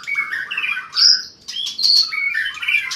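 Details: Long-tailed white-rumped shama singing in fighting mode; quick sequence of bright whistled notes and high clear tones with a rapid jumbled chatter.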